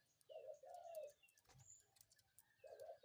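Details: A spotted dove calls in the morning with one full cooing phrase, a brief note then a long soft coo, and the start of a second phrase two seconds later, over a low hum and faint ticking sounds.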